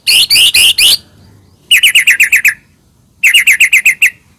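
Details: White-rumped shama singing to provoke another shama: a few harsh raspy notes, then two tight bursts of quick, sharp chattering notes repeated about four per second.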